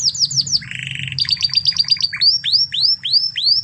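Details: Spanish Timbrado canary from Spain, a master recording for training other canaries: rapid metallic rolls and repeated descending whistled notes, trills shifting in quick succession, about three notes per second, with a faint low hum beneath.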